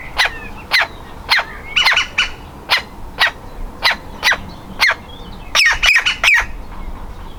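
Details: Woodpecker nestling about to leave the nest, trying to get out of its hole: a steady series of loud, harsh, rasping calls, roughly two per second, ending in a rapid cluster.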